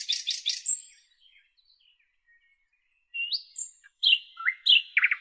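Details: Nightingale singing: a dense buzzy trill opens, then a pause, followed by separate whistled and slurred phrases sliding up and down, ending in short rapid notes; no other sounds.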